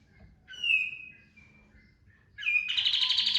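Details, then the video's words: A kapas tembak bird's clear, falling whistled note, soft fragments, then an abrupt loud pulsed buzzy trill, a 'tembakan' lure song for training birds. "PANCINGAN BURUNG KAPAS TEMBAK GACOR FULL TEMBAKAN TERBAIK 2025"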